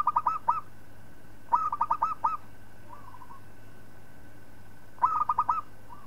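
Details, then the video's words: Local zebra dove song for tutoring other birds: three bursts of quick, rolling coos, each about six notes long and ending on a longer note, with a softer phrase between the second and third bursts. "Suara Perkutut Lokal Palng Zos Untuk Masteran"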